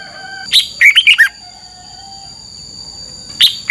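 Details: Caged Red-whiskered bulbul from Thailand giving 'double' style song: one phrase of five quick, bright notes sweeping downward, then a pause and the start of the next phrase, with a steady high tone in the background.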